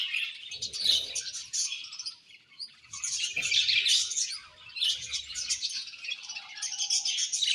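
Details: Colony of budgerigars chirping together, a dense overlapping chatter of high, rapid twittering notes that swells and fades in bursts over several seconds, with many birds calling at once.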